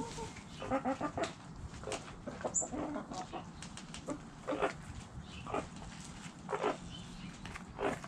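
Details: Flock of backyard hens and roosters clucking: repeated short harmonic clucks come in loose groups, with sharp clicky sounds and soft rustling between them.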